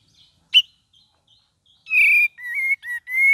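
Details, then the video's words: Cream-vented bulbul opening with one sharp, loud note, then after a quiet pause a phrase of four sustained whistled notes, one level and the others rising or wavering in pitch. "KAPAS TEMBAK VARIASI GACOR DAN NGERIWIK"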